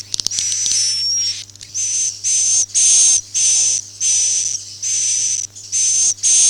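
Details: Swiftlet, "Akau ngaji" type: a few sharp clicks open, followed by a row of about nine short hissing buzzes with a level high whistle, evenly spaced by short pauses.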